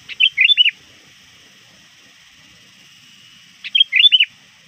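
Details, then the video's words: Sooty-headed bulbul, a trained lure bird calling to rivals near dusk, gives two bright bursts of quick warbled, looping notes about three and a half seconds apart, with a faint steady hiss behind. "suara burung kutilang gacor memanggil lawan"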